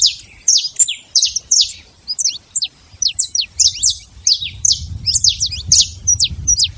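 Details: Free, wild saffron finch among a jumble of sharp, metallic high chips and short slurred notes, irregularly spaced, with a low rumbling noise growing in the second half.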